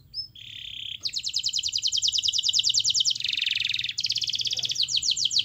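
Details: Canary singing vigorously: a short whistled note, then long rapid rolls of high pulses broken by a buzzier, lower-sounding trill, with faint background hiss.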